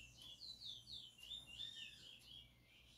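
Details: Chestnut-bellied seed finch, a selected singing bird in close view, delivering a continuous run of sweet whistled notes that rise and fall in quick looping phrases, steady throughout with a faint low hum behind.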